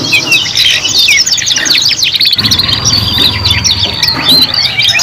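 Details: Young canaries singing in a three-in-one learning recording: a torrent of bright rapid trills and clipped chirps, then a long high sustained whistle running through the second half, with low rumbling hum underneath.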